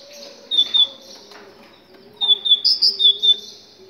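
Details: Moroccan great tit song used to get other tits singing: a brief pair of high notes, a pause, then a rhythmic run of about six sharp repeated notes, with a low humming background.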